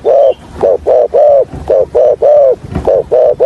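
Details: Spotted dove decoy for trapping, calling in a stuttering hạp bổi style: a steady run of about nine mellow hooting coos, some short and some drawn out, with barely a gap between them.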